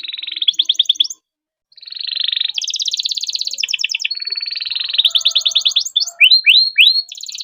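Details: Canary giving long, dense song meant to prompt silent canaries to sing: continuous high rolling trills and rapid buzzy note series, brief pause near one second, ending in repeated downward-sweeping whistles.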